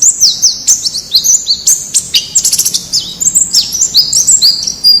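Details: Wild white-eye song meant to make kept birds sing quickly: dense, fast high twitter of slurred whistles, with a brief rattling trill partway through, continuing without pause.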